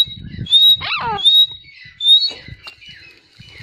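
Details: Grey francolin: high upslurred whistles, a few per second, plus one harsh falling squeal, over a low rumbling background.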